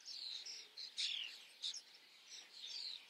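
Common starlings chatter in a busy run of high squeaky whistles and rasping chirps, with a bright downslurred whistle near the middle.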